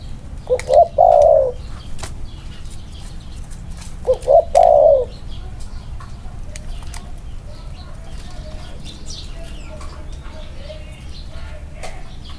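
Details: Spotted dove, one of two compared for their 'inner-circle' cooing, gives two loud three-part coos about three and a half seconds apart. Each has quick short notes ending in a drawn-out coo, followed by a long quiet stretch.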